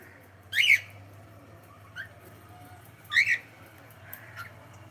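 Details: Pet cockatiel indoors giving two loud harsh chirps about two and a half seconds apart, with a few softer short notes between them over a low steady background hum.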